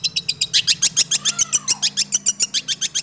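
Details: Long-tailed shrike, six months old, delivering quick 'roll speed + nembak' song: high, clipped notes hammered out evenly at a brisk pace, with a soft, thin descending whistle slipping underneath midway and a faint low hum behind.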